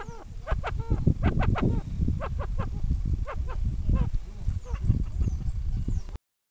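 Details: Domestic rufous-vented chachalaca in the Caribbean calling: rapid, raucous, strongly harmonic notes, each one arching up then down, given in a steady rush over a loud low rumbling background.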